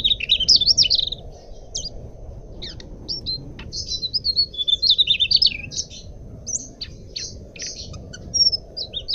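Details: Mugimaki flycatcher song used as a lure or master recording for training cage birds: bursts of high, rapid twittering and warbled phrases with thin whistled notes, separated by short pauses, over a steady low background hum.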